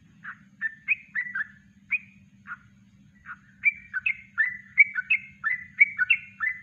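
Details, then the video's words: Natural kongslet-style song of a yellow-vented bulbul, recorded as a training master: scattered whistled, chirpy notes at first, then a quicker run of bubbly two-note slurs, over a faint low hum. "Masteran Trucuk Kongslet Alami"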